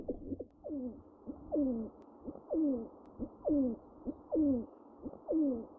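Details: Pigeon calls as a regular series of falling, slurred notes, roughly one per second, each preceded by a short grace note, clear and clean in a quiet space.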